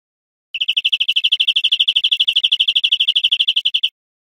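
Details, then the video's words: Cage-bird teaching recording of a European greenfinch: one clean, rapid trill of evenly repeated high notes for about three and a half seconds, with silence before and after. "Canto Verderon"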